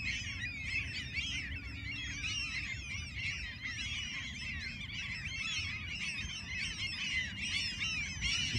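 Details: Alaskan gulls crying nonstop, a thick wall of strident, bending squawks from many birds at once across the whole stretch, steady deep rumble underneath.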